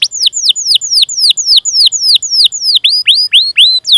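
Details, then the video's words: Canary 'gacor' song with 'cuit cuit' calls, a training lure: loud whistled notes each sweeping steeply downward, repeated about four times a second, shifting toward rising-then-falling swoops near the end. "Masteran Suara Burung Kenari Gacor Panjang cuit cuit Ngerol untuk Pancingan Kenari!"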